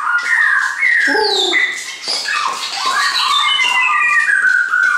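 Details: Shamas kept by their owner deliver a fast, varied whistled song: bright sliding notes, rapid chattering bursts and long descending whistles follow each other without pause.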